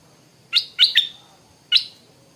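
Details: Morning calls of a stripe-throated bulbul: three sharp, bright chirps in quick succession, then a pause and a fourth matching note, each high and clear over a quiet background.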